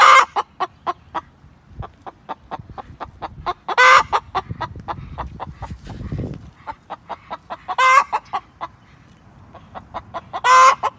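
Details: Domestic hen making soft, clicking clucks, broken every few seconds by a loud, harsh squawk; four squawks in total over a faint rustle.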